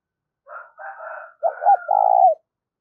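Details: Decoy spotted dove luring wild doves: buzzy, higher preliminary notes lead into a single deep phrase of two quick coos and a long drawn final note.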